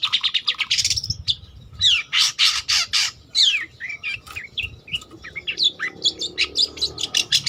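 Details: Long-tailed shrike singing vigorously, offered as lure or master song for trainee birds: a varied, fast medley of grating bursts, sharp downslurred whistles and short chips repeated nearly twice per second.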